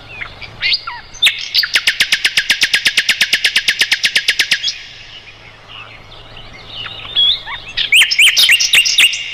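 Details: Mugimaki flycatcher song for tutoring white-rumped shamas and other songbirds: a fast rattling roll of about twenty sharp clicking notes, a quieter twittering pause, then a row of high, hooked whistles.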